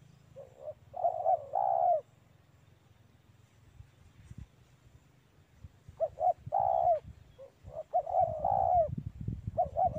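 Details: Spotted dove calling in a mango orchard: two groups of short cooing notes rising into a longer, falling coo, separated by a quiet gap. A low rumble sits underneath throughout.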